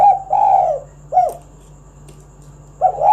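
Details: Spotted dove song meant to prompt other doves to sing: a drawn-out mellow coo, then a shorter dipping coo, and after a pause another rising coo, all low and throaty over a faint hum.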